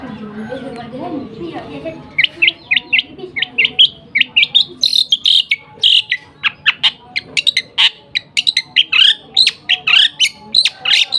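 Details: Lovebird delivering a long 'nembak gereja sambung' song: after a quiet start, a dense, continuous stream of sharp, high chips and twitters with no pause.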